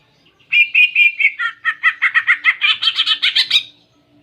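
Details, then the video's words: Greater green leafbird singing a clear song with canary imitations: two sustained whistled notes, then a fast run of about fifteen chirped notes rising gradually in pitch, ending abruptly after about three seconds. "Masteran Cucak Ijo Isian Kenari Jernih"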